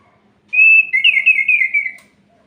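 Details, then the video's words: Orange-headed thrush singing at night, a sound said to stir other orange-headed thrushes and raise their breeding condition: one clear whistled phrase, steady then warbling and slightly falling, lasting about one and a half seconds, over a quiet background. "Suara Ini Bikin Gerah Anis Merah Lain"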